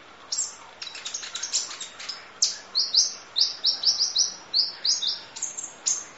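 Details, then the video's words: Ninja sunbird (kolibri ninja) song from long-duration training audio in the full 'isian nembak' style: rapid high, thin chirps and short sliding notes, clustered early and then steady downslurred notes about twice a second. "Audio Master Masteran Kolibri Ninja Full Isian Nembak Durasi Panjang Kicau Burung"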